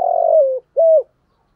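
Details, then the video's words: Decoy spotted dove cooing in the 'thổ' voice meant to excite wild birds: a long vibrating coo sliding gently downward, followed after a short break by one smooth, even closing coo. "Chim Cu Mồi, cu gáy giọng thổ kích bổi mỗi ngày, giọng hay hạp bổi"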